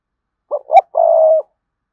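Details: Calling spotted dove, drawing rival males to fight: one loud phrase of a short note, a rising hooted note and a long, steady, rolling coo.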